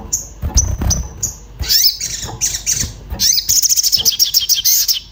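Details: Excited orange-bellied flowerpecker calling while looking for a mate, recorded as a lure for singing birds: thin high whistled notes give way to a fast twittering chatter of repeated tiny chips, with dull low thuds early on.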